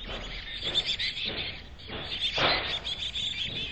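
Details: Chickadee inside a North Vancouver nest box giving high, overlapping chirps, partly masked by repeated rustling and scraping noises from movement in the box.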